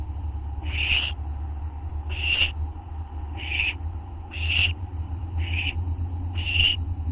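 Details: Owl group on a live camera near 11 PM, August 24, 2011: six rasping, breathy screeches at uneven intervals of about one second, backed by a steady low droning hum.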